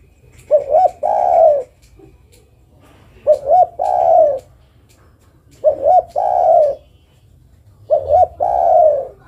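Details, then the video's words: Female zebra dove calling to a male: four coo phrases about every 2.4 seconds, each a short double note followed by a longer rolling, slightly wavering coo, with a quiet background between phrases. "Suara burung derkuku betina memanggil jantan"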